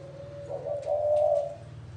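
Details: One drawn-out, mellow coo from a spotted dove in the gáy gù style, swelling slightly toward its end, set over a steady low electrical hum.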